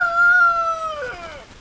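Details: Rooster crowing: a single drawn-out harmonic note that glides gently downward and fades over under two seconds, with a clean, quiet background.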